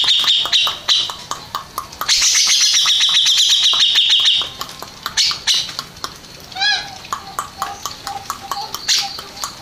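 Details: Contest-winning grey-cheeked bulbul, ranked first, delivering loud high warbled phrases with a sustained trilled stretch from two to four seconds, then scattered shorter notes among repeated clicking sounds.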